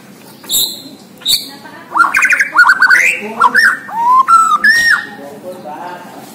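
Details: Bornean white-rumped shama singing 'gacor': a few high thin notes, then loud fluty whistles in quick varied phrases, slurred up and down, some rolling, spread over about four seconds against a quiet background.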